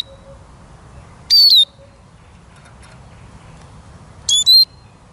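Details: Eurasian siskin giving two high whistled calls, each sliding downward, about three seconds apart, in a quiet setting.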